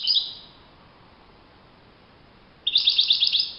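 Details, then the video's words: European goldfinch in the wild, in open nature: a brief twitter at the start, a pause, then a quick series of buzzy, chattering high notes repeated rapidly for about a second. "chant chardonneret le Roi de la nature"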